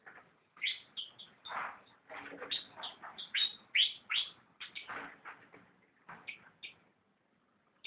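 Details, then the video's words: Fantail singing: bursts of short, high chirped and whistled notes in quick, uneven runs, with brief pauses between phrases and a few softer, smeared notes mixed in. "burung sikatan/kipasan"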